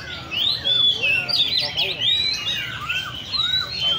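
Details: Caged Oriental magpie-robins singing together at a park bird cafe in Le Thi Rieng park. The birds deliver bright, clear whistled notes, some long and level, others dipping or rising, packed closely without pause.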